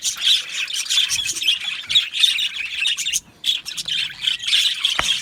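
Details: Aviary budgerigar colony chattering in bursts of high chirps and squawks, a short pause after three seconds, then a sharp click near the end.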